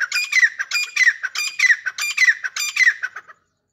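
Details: Dhakni teetar pair, grey francolins, deliver a quick run of about six harsh, squawking phrases, evenly spaced, before falling silent.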